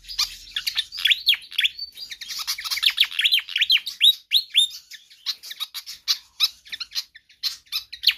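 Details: A Pied fantail sings persistently, meant as a training and lure track for other birds. Dense, rapid strings of downslurred squeaky whistles open the passage, then give way to sharper clicking chips, evenly spaced.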